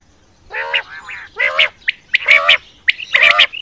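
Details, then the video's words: Quail calls recorded for hunting use at night: a series of harsh, harmonic, nasal squawks, each about a quarter second long, with short sharp chirps mixed in. The background is quiet. "Quail Voice Sounds For Hunting Raat Ki liye Saaf Awazay Quail sounds Batair Ki Awaz"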